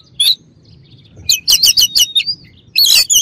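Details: White-rumped shama song: sharp high chirps and a rapid burst of clipped, sweeping notes, then a loud dense flourish near the end.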